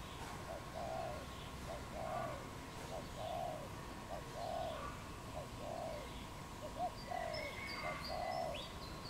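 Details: Wild dove in Cambodia calling in April: soft low coos around 600–800, short paired notes followed by longer hooting coos, repeated steadily about once a second, with faint higher chirps from other birds and a steady background hum.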